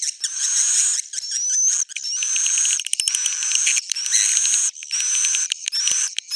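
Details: Edible-nest swiftlet roosting sound intended to attract swiftlets: continuous buzzy chatter with high, slightly rising whistles and bursts of fast clicks, broken by short silent gaps.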